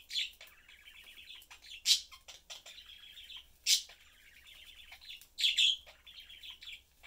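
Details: Three pet budgerigars, parents with their young, chatting as they eat; buzzy rolling warble chatter punctuated roughly every two seconds by loud shrill squeaks.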